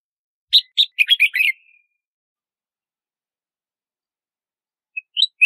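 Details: Red-whiskered bulbul calling: a run of sharp, harsh chirps building into a rapid rattling flourish, then a pause of several seconds before a few thin whistled notes begin.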